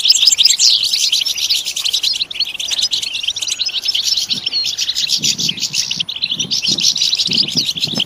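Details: Busy, nonstop goldfinch twittering of rapid high chirps and trills, with low muffled thumps and rumbles in the background during the second half.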